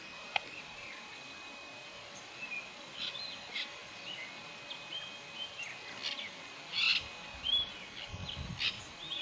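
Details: Nanday parakeets recorded in July 2017 at Río Pilcomayo National Park, Formosa, uttering irregular sharp, grating calls, some louder bursts near the end, against faint background chirping and a constant outdoor hiss.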